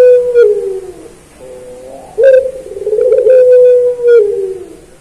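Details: Barbary dove of the pelung type singing, used as a master recording for training caged doves; long, drawn-out low coos held steady with slight downward slides, several phrases in a row, with faint higher overtones.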